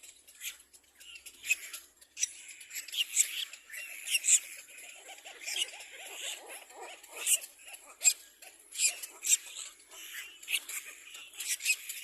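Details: Little black cormorant baby birds competing for food, uttering rapid high, raspy squeals and wheezy chatter that overlap continuously, with sharper peaks every second or so.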